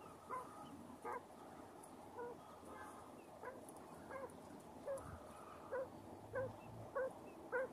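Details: Brooding mother quail with chicks under her wings against the cold gives short, low, soft clucking notes, about one or two a second at an uneven pace, over a quiet background.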